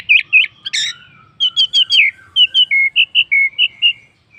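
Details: Lure song of an orange-headed thrush, meant to prompt other birds to join in: a loud run of clear whistled notes, some slurred and harsh at first, then a steady series of rounded falling whistles.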